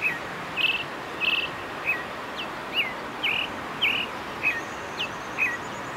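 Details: Brazilian thrush mating song: a run of short, bright whistled notes, roughly two each second, some rising, some falling, over a steady background hiss.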